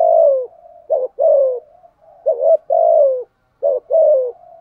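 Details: Decoy spotted dove cooing to challenge rival males, roughly fifty phrases a minute; each phrase a quick stutter then a long sliding coo, with gentle murmuring in the gaps.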